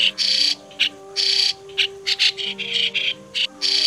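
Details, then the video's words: Migratory white-cheeked starling, recorded for use as a bird-trapping lure in 2020: long harsh buzzy notes broken by clipped scratchy calls, loosely repeated, above low steady tones. "Tiếng Sáo Đá Di Cư - Sáo Đá Đầu Trắng"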